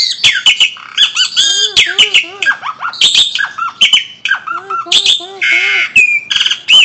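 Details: Asian pied starling from Indonesia, a noisy songbird often kept caged, sometimes mimicking other birds: loud, varied chattering song of harsh squawks, clear whistles and rising and falling notes in quick irregular bursts.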